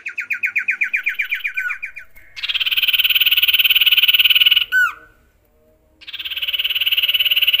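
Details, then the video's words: Male common iora, a kept songbird, singing a rich fill-in song that borrows from canary and other birds: fast pulsed buzzy trills repeated about four times a second, a sharp downslurred whistle, then another long steady buzzing trill. "CIPOH/ SIRTU mewah isian NEMBAK"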